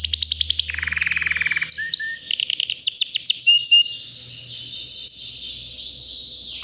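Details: A white canary, about three years old, sings continuously: fast high trills, a lower rolling run, brief whistled notes and a long sustained high warble, with a faint low hum in the background.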